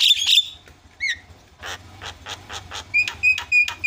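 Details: Starling chatter played to coax silent starlings into singing: a loud harsh burst, a curling whistle, then a run of rapid raspy pulses and a string of short clear whistled notes near the end.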